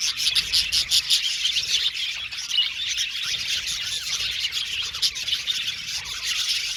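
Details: Aviary budgerigars singing and chirping as a group: a steady, crowded mix of high twittering, rapid clicky chirps and short warbled phrases throughout.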